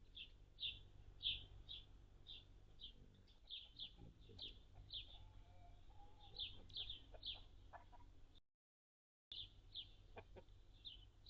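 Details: Anna's hummingbirds visiting feeders on June 10, 2022, a day with a high of 73F and a low of 55F; sharp, high, dry chips repeated steadily about twice a second over a low background rumble, with one brief silent gap.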